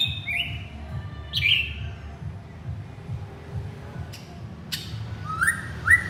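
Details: Male white-rumped shama calling its partner: a few isolated clear whistles and a sharp falling note, with clicks and two rising whistles near the end.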